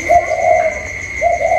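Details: Caged decoy spotted dove dueling with a wild dove outside, recorded 27 October 2022; a soft, low cooing phrase followed by a second rising coo, over a steady high electronic whine.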